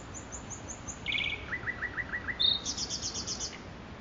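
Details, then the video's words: Nightingale song recorded in Makui Park, built from rapid repeated-note series: a thin high rattle, a fast buzzy trill, a run of six evenly spaced lower notes, then a loud bright trill of quickly repeated notes, over soft background hiss. "صدای بلبل خفن در پارک ماکوئی"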